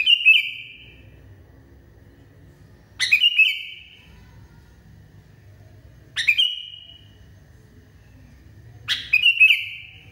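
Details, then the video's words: Sooty-headed bulbul, locally kutilang, said to be in a frenzy, gives four phrases roughly every three seconds, each a sharp clipped onset trailing into a steady whistled tone; faint low rumble between phrases. "KUTILANG NGAMUK PARAH"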